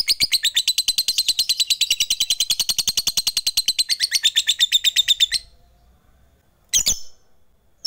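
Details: Long ngekek chatter of a fighter lovebird, played to rouse quiet lovebirds: fast repeated shrill notes for over five seconds, then a sudden stop, near silence, and one short sharp squeak.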